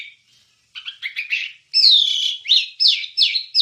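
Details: Wambie song used as a master for songbirds. After faint notes, rough chattering builds into a loud, long, falling whistle and then repeated sweeping, down-slurred phrases.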